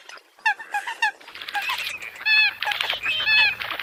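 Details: Eurasian coot giving a few clipped nasal notes, then longer, drawn-out honking tones, over a faint low steady hum in the background.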